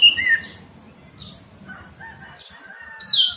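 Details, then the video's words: An orange-headed thrush song, played to stimulate captive birds to sing: loud, clear whistled phrases at the start and end, with softer, varied warbled notes between, over a faint low background hum. "terapi Anis merah ngeplong pagi pancingan anis merah macet bunyi masteran anis merah cepat bunyi"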